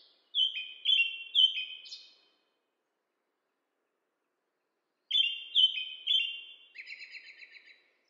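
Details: American robin singing in two bursts separated by a long pause. Each burst has about three clear, down-slurred whistled phrases. The second burst ends in a dry, rattling run of squeaky notes. No other sounds are heard.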